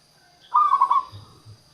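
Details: A single brief zebra dove phrase from a local bird, used as a decoy to lure wild doves: a fast bubbling, stuttering coo followed by two faint deep hoots.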